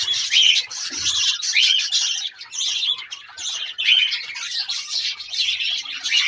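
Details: A budgerigar chick being fed by its father gives raspy, high, hissing begging calls in quick repeated bursts.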